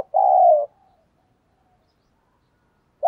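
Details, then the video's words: Spotted dove used to lure wild doves, singing in giọng thổ style. A single long, even, slightly falling coo is followed by nearly three seconds of quiet and the onset of the next note. "cu gay kich boi nhanh noi hàng ngày mở lên là bổi gáy"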